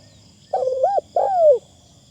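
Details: Spotted dove used as a decoy bird for luring, calling with a fine, lightly phrased voice: one two-part coo, a short wavering note then a longer, low, falling coo, over quiet low background hum.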